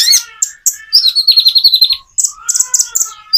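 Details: Common iora song: sharp high chirps, then a long, fast-pulsed rattling trill, followed by a quieter lower whistle and more bright chirps at the end.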